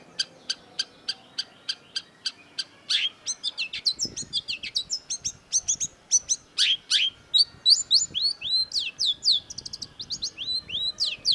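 A Long-tailed Shrike opens with a quick run of sharp, evenly spaced ticks. It breaks into a rambling, high jumble of whistles, chatters and sweeping, mimic-like notes.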